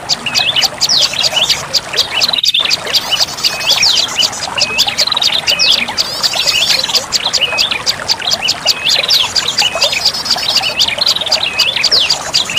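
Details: Olive-backed tailorbird lure call used to attract birds: a dense, continuous stream of sharp, high chirps and quick upslurred notes, overlapping and rapid, with a brief break near the start.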